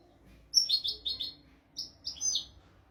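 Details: Tutor recording of a European goldfinch for training goldfinches and canaries: short bursts of liquid, twittering notes, a three-part phrase followed by a shorter two-part one after a brief pause.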